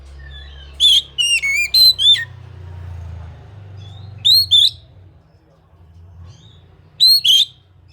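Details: Oriental magpie-robin singing clear, rising, sharply inflected whistles, first in a rapid run of four notes, then paired bursts every few seconds, above a low rumbling background hum.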